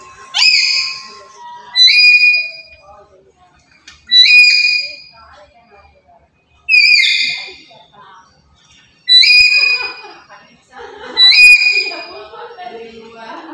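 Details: Black-capped lory, described as very active every day and used as a master recording to lure and trap birds: six loud, harsh, harmonic whistled calls, each a short upslurred blast, spaced about two seconds apart, with fainter chatter between.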